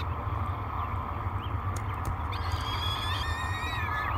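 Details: Peregrine falcon chicks, three hungry young at Great Spirit Bluff, beg during a breakfast feeding on 24 May 2022, nest cam recording: after soft chips, a thin, wavering whine builds in the last seconds over a low hum.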